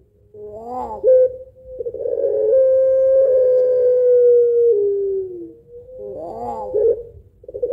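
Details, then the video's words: Puter pelung dove giving a long, rhythmic 'laughing' coo with a two-note 'kuwok' pattern, used as a lure for other birds: a short wavering burst, then a low, sustained, steady hum lasting about three seconds that slowly falls, then another wavering burst. "Puter Pelung Ketawa Suara Panjang Berirama Syahdu Kuwok 2 Not"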